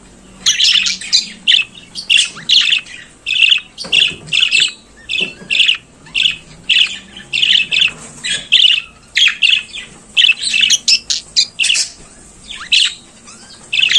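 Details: Budgerigar singing in the morning, a dense run of scratchy, squawking chirps and warbles repeated in quick bursts, with short pauses near four and eight seconds.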